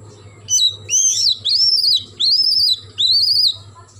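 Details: Morning song of an oriental magpie-robin: a series of four loud, clear whistled phrases, each an arching, wavering slur lasting about half a second, with short pauses between and faint low hum behind.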